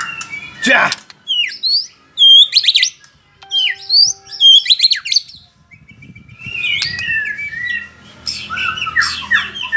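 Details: Bahorok white-rumped shama singing varied loud phrases: a harsh burst, then bright looping whistles and swooping notes, a thin steady tone, followed by rapid chattering warbles.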